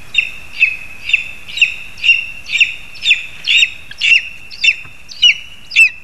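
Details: Lesser spotted eagles in a spruce in Zemgale, Latvia, with a frog brought for the young, giving a run of about twelve sharp, high yelping notes, roughly two per second, evenly spaced and slightly rising, over faint low rumble.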